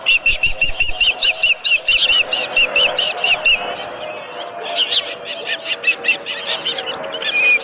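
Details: At a ranch osprey nest with a live fish, crisp high chirps repeat quickly for the first few seconds, then become softer and muffled amid a low background hum.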